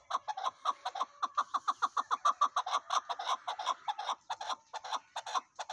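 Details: Chukar partridge calling loudly and close, a quick, insistent chuk-chuk-chuk series of about three notes a second, harsh and clucking, rising in pace and volume before loosening slightly near the end.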